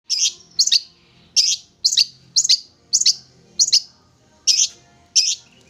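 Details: Young wild long-tailed shrike, tamed for about three months and now singing often: bursts of harsh, scratchy high notes, often paired, repeated roughly every half second to second with short silent gaps.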